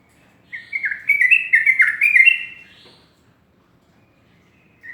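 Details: Sooty-headed bulbul singing in the morning: a loud run of bubbly, whistled notes stepping between low and higher pitches for about two and a half seconds, then quiet with a single soft note at the end.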